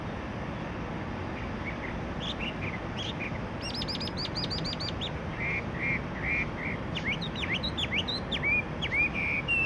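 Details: Chinese Hwamei (Garrulax canorus) at Guia Lighthouse and Fortress, Macau, 14 April 2020, sings a varied run of loud, clear whistled phrases, rising and falling slurs with quick repeated notes, over a steady low background rumble.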